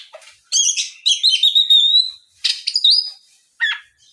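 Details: Oriental magpie-robin lure song meant to make other magpie-robins answer and sing; loud, varied phrases of sharp whistles, buzzy chirps and slurred notes, in bursts separated by short pauses.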